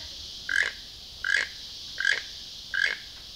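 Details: A toucan in Costa Rica gives four short, harsh, frog-like croaks, one about every three-quarters of a second, over a steady background hiss of insects.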